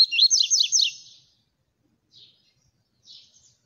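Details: Coleiro singing fast: three loud, quick rising whistled notes in a burst, then silence broken by two faint, soft twittering fragments.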